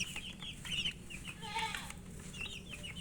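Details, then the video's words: Chicken chicks eating and cheeping, with bright high chirps coming in bursts, one lower, fuller call midway, light taps and a persistent low hum behind. "Murgi chicks Chirping sounds and eating"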